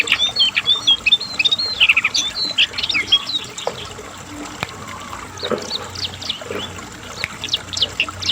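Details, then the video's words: Asian brown flycatcher in rapid song: an opening burst of quick twittering whistles and slurred high notes, then softer scattered chips with a light trickling background. "CINGCOANG || JONGKANGAN GACOR TELER NGEPLONG AMPUH"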